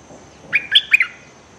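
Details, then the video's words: Decoy bulbul used to lure wild birds, threatening nonstop, recorded 24/06/2023: a single quick burst of three sharp, chattering chirped notes over a quiet background. "นกต่อก็ขู่ไม่หยุด!! Suara pikat merbah lekir gacor"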